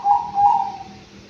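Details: Captive five-month-old Anggungan bird kept in an aviary, giving two soft, hollow, mid-pitched cooing notes in quick succession, the second trailing off into a fading hum.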